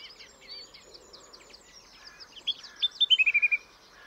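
A song thrush opens with soft, scratchy twittering, then gives a loud, clear phrase of about seven quick, high notes, repeated in the typical thrush fashion.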